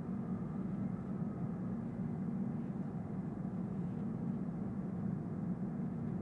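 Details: Continuous deep engine or traffic drone recorded outdoors in Columbus on March 9, 2015, even and unbroken, with no animal calls heard.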